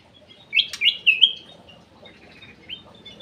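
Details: Ruby-throated bulbul (cucak emas) song used as a lure, from a bird kept in an aviary: a burst of bright, slurred whistled notes, then quieter warbled phrases and one short rising whistle near the end.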